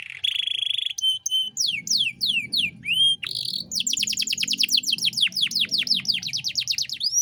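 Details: Canary in energetic song with luxurious song phrases, used as a master recording for training young songbirds: a long buzzy trill, then fast downslurred whistles and a rapid run of repeated sweeping notes, with a faint low hum beneath.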